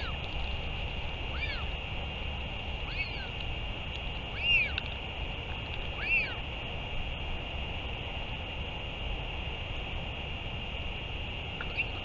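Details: Northern royal albatross during return and feeding, 31 May 2023: a run of five arched calls about 1.5 seconds apart in the first half, then mostly steady hum with one faint call at the end.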